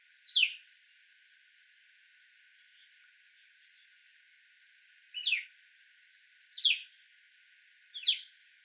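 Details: Alpine chough giving four short, high, downward-sweeping whistled calls, one near the start and three spaced about one to one and a half seconds apart towards the end, with quiet pauses between.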